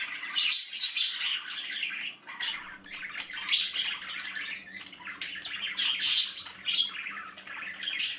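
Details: Budgie babies in their nest produce rasping, buzzy squawks in repeated loud bursts, several chicks overlapping, with short dips between bursts and a low steady hum underneath.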